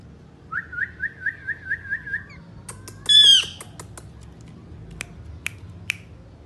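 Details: Pet Indian ringneck parakeets, three birds, giving about eight quick evenly spaced chirps, then a loud harsh squawk and scattered clicks and taps.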